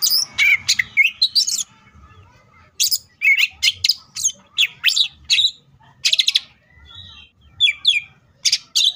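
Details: Cucak ijo (leafbird) in full tembakan song, packed with material: rapid bursts of loud, sharp, high chirps and scratchy notes delivered in clusters, with short pauses between bursts and a soft low hum underneath.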